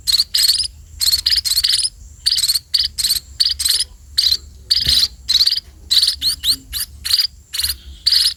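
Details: Begging sparrows at feeding time: piercing, rasping chirps in rapid clusters, each burst short and bright, spaced by brief silences, over a soft low rumble.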